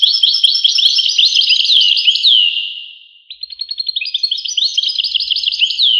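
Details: Goldfinch song: rapid liquid twittering that fades away after about three seconds, then starts again as a quick, evenly pulsed series of chirps building into a dense jingle.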